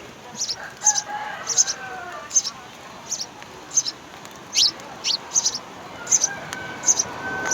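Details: At a nest, three young house sparrows call for food as their parents feed them; rapid high chirps repeat in bursts, joined by a few downward-sweeping squeaks and faint lower calls.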